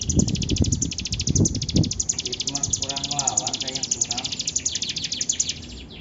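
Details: Bar-winged prinia in lively song, giving fast runs of high, clipped notes repeated in quick succession, while low thumps and a person's voice sound in the middle before the song tails off.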